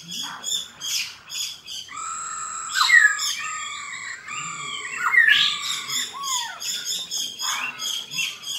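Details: Black-throated laughingthrush giving its fighting song. Loud harsh chattering bursts open, then long clear whistled notes that bend up and down, broken by further rapid rasping bursts.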